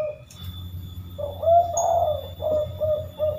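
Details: Spotted dove giving its three-note "kuk" call: soft, low cooing notes, the middle one longest and loudest, followed by two shorter coos, with faint low background hum.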